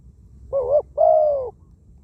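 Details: A spotted dove decoy bird from Thailand, caught wild, with a small voice; one phrase: a short wavering coo followed by a longer, steady then falling coo, clean and quiet background.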